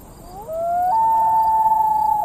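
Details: A loon on Emma Lake, Saskatchewan, Canada, in summer gives a long, pure, mournful wail that climbs in steps to a high note and holds it steadily, with a faint background hiss.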